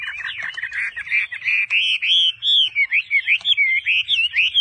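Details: Vietnamese trader's caged Chinese hwamei pouring out a continuous, rich warbling song of rolling whistles, then breaking into a rhythmic series of short slurred notes repeated several times per second.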